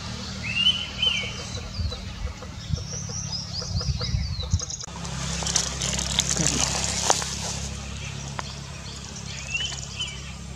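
Indian pitta giving a clear two-part whistle near the start and again at the end, with thin high chirps from other birds, rustling, and a low background hum.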